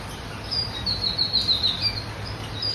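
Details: Black-brown pair of Bengalese finches; a rapid run of thin, high, squeaky notes strung together over a steady background hiss.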